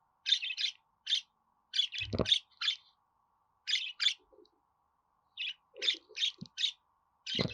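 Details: Budgerigar song for pet budgies to hear and answer: irregular groups of short buzzy chirps with occasional low knocks.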